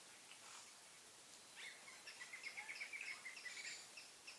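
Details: A Point-tailed palmcreeper (Berlepschia rikeri) gives a quick series of high, ringing notes, about four a second, fairly faint over a steady hiss with soft insect buzzing.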